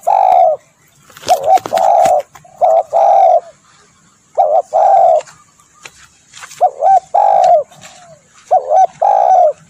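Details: Spotted dove calling, a recording used to lure birds: repeated low cooing phrases, each a short hooked note followed by a longer steady coo, given in groups about every two seconds with faint clicks between.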